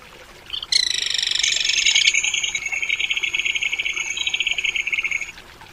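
A crested kingfisher gives a loud, harsh opening note that breaks into a fast, grating rattle lasting about four seconds, over a soft background hiss.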